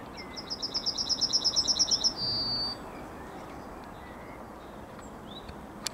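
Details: Yellowhammer singing its morning song on 9 May 2021: a fast run of about a dozen high, thin, repeated notes, then one longer drawn-out final note, over a steady low rural background rumble.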